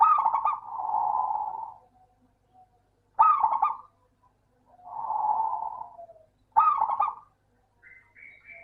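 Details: Lure recording of a local zebra dove song for lazy doves: three phrases, each opening with sharp clipped notes and swelling into a soft sustained coo, roughly every three seconds.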